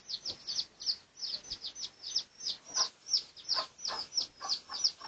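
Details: Red junglefowl of the pradu colour type, research recording from 18 August 2023: thin, high peeps repeated about three times per second in a steady stream, with soft fainter peeps underneath.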